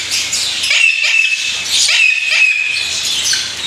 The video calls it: African Grey Parrot